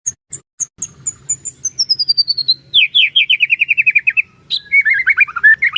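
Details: White-rumped shama song, played to stir other shamas into song: high thin notes sliding downward, a rapid run of descending whistled notes, then a pause and varied warbled phrases.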